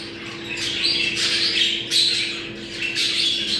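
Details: Short burst of budgerigar mating calls used to bring birds into breeding condition: rasping warbles and thin whistled notes, continuous and busy, with a low hum behind.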